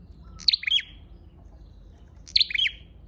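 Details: Two high, clipped twittering calls of a red-headed flowerpecker, used as a lure, about two seconds apart, each a rapid sharp note cluster trailing into a slight buzz.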